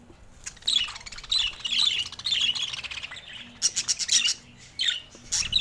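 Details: First calls of a budgerigar chick: clusters of short bright chirps and squawks in quick runs, with quieter gaps between groups.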